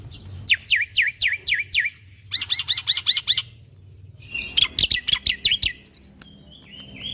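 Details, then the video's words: {'caption': 'Caged-bird training song of a black-winged starling: about six loud downslurred whistled notes, then a fast series of buzzy rattling notes, then harsh chattering and thin high whistles.'} "Jalak Putih Gacor Full Isian"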